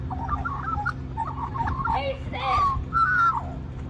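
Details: In Cirillo Reserve, Middleton Grange, New South Wales, Australia, at lunchtime, a little magpie sings for more mango in a soft, warbling song of bending, fluting notes that rise toward the end, over a steady low electrical hum.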